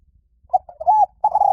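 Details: Liw tan style spotted dove song for luring and training birds to answer. Quick hiccuping notes run into a drawn-out coo, then, after a short gap, a long, level, steady note.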